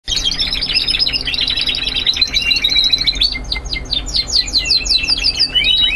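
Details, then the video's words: Young Spanish Timbrado canaries singing a classic, continuous song: a dense, unbroken stream of bright chirps, rapid trills and descending rolled notes. Rhythmic runs of quick repeated notes become more prominent in the second half. "Timbrados clasicos or continuos /spanish timbrado classic"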